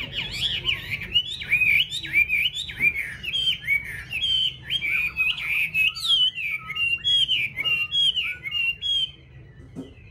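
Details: Caged yellow-billed Chinese hwamei kept at home, singing a long, rich run of loud whistled phrases. The notes are varied and slurred, sweeping up and down, with short pauses between them. Faint low room hum sits underneath.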